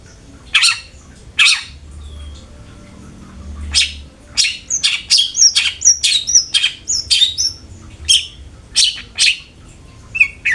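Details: Long-tailed shrike lure recording to make kept shrikes sing: scattered harsh rasping notes give way to a faster run of short whistled and chattering notes, some sharply rising or falling, over low background hum.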